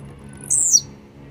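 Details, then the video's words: One high, buzzy, downslurred note from a Blue-black grassquit described as warmed up and grumpy. It lasts about a quarter second over a continuous low hum. "esquenta seu tiziu🔥tiziu rabugento"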